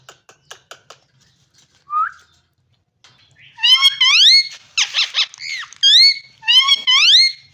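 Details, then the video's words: Parrot voice indoors: soft clicks and one short whistle, then a lively run of loud rising whistled calls broken by a harsh squeaky burst, calls coming close together. "Amazing parrot talking and voice"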